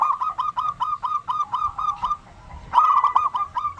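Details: Local zebra dove used to prompt other doves to sing; rhythmic series of soft, rounded coos about four per second, a short pause, then a louder, denser run.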